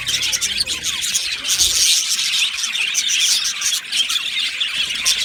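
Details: Aviary colony of Australian budgerigars, recorded 15 July 2025, giving a steady wall of shrill squeals, chirps and buzzy warbling from many birds, with faint low rumbling at the start.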